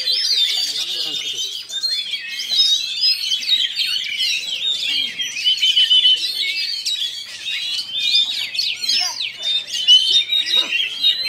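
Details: Oriental magpie-robin in full song at a singing contest in Kinali, West Pasaman, where it won first place; a long, unbroken torrent of high twittering, whistles and mimicked-sounding notes, with faint background chatter.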